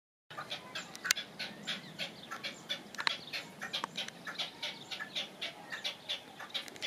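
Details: European goldfinch singing: a steady run of short, bright, nasal twittering notes, each a quick stacked burst, repeated several times a second with little pause, over faint background hiss.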